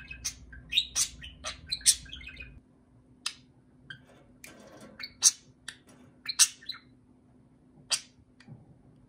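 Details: A male pet budgerigar, excited while interacting with a plastic toy parakeet, chatters in bright, scratchy chirps and squeaks delivered in short irregular bursts.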